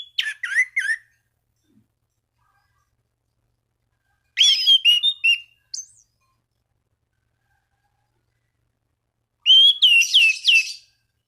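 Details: Orange-banded thrush singing gacor to call rivals and stimulate other thrushes to sing: three separate bursts of rich whistled phrases, some notes dipping and rising, with long silent pauses between, clean and quiet background.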